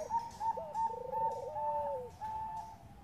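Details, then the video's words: Bangkok zebra dove lure, a female calling the male: a long bubbling trill dipping at its end, layered under a clear higher coo repeated roughly every half second, with faint hiss behind. "PANCINGAN PERKUTUT BANGKOK GACOR"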